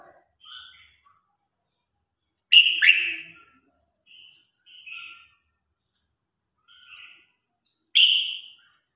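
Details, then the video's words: Red-whiskered bulbul competition song used to call the flock: scattered soft whistles broken by two loud, sharp-edged phrases about five seconds apart, with short warbled notes in between. "Tiếng Chim Chào Hót Đấu /Tiếng Hót Gọi Bầy Đàn"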